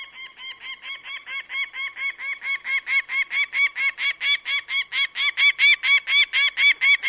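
A bird of prey gives a fast, even series of sharp, nasal, ringing notes, about four each second, growing steadily louder; no other sounds.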